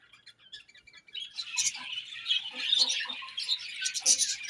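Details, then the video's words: Pet budgerigars chirping in the morning; after a quiet first second, a dense, busy chatter of high twittering and warbling notes builds and continues without pause. "Beautiful Budgies Morning Chirping Sounds"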